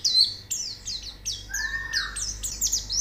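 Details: High, sweet white-eye song from training audio to make a bird sing: repeated falling whistled notes about twice a second, with a lower, longer sliding whistle in the middle.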